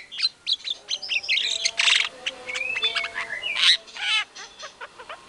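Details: White-rumped shama singing hard as a provoking lure: varied phrases of quick chirps, harsh rasping notes and a few long level and rising whistles.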